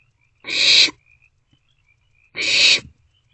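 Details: Young barn owls calling from an owl box in the early morning hours of late March while passing food back and forth; two rasping, broadband hisses about half a second long, spaced nearly two seconds apart.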